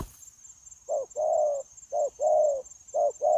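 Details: Spotted dove, a wild-caught bird, continuous cooing recorded during dove trapping in January 2024: after a brief noise, three low paired coos follow, a short note then a drawn-out one, under a steady high whine.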